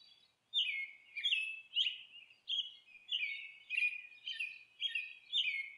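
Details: After a half-second of quiet, a nesting monk parakeet launches into a run of coarse, slurred screeches, about ten harsh notes in five seconds.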